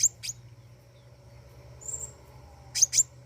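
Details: Flowerpecker singing actively: sharp, very high chips near the top of the range, a pair at the start, a thin drawn note mid-way, then two quick chips, over a low steady hum.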